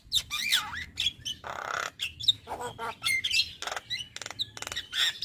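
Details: Male Javan myna used to teach other mynas, pouring out a mixed song of squawks, hoarse noisy bursts, twisting whistles and clicking rattles with brief pauses.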